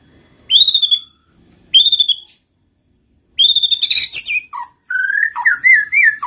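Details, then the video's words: White-rumped shama song to prompt lazy shamas: two clear high whistled notes a second apart, then a longer, complex phrase mixing sliding whistles and jumbled warbles. "pancing MURAI BATU malas bunyi/bahan paling mudah direspon tanpa takut"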